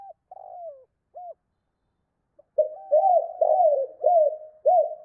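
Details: Spotted dove calling to a hen: a few isolated soft coos and a pause, followed by a dense run of five arched, mellow hooting coos in quick succession.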